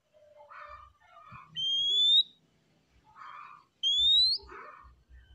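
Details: Oriental magpie-robin in easygoing song, giving two bright whistles that climb upward about two seconds apart, with soft lower warbles between them.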